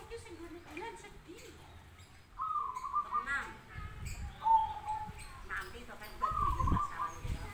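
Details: Zebra doves calling back and forth: lower soft coos at first, then clearer sustained whistled notes with short trills in two separated phrases, mixed with low rumbling thumps and faint background noise.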